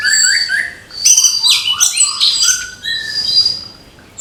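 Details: Morning gemercik song of an orange-headed thrush: clear whistled phrases, then a burst of bright, jumbled high notes and warbles, with a short quiet gap before another chattering run.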